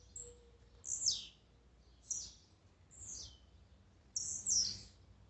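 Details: Blue-black grassquit song for exciting a kept bird: four sharp, buzzy downslurred notes roughly once a second, each starting very high and dropping quickly, with a faint steady low tone in the background.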